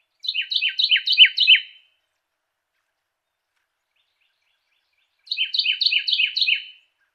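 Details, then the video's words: Carolina wren giving two loud rolling song bursts, each a chain of about five identical quick phrases sweeping downward, with several seconds of silence between them. "CAROLINA WREN SUARA JERNIH"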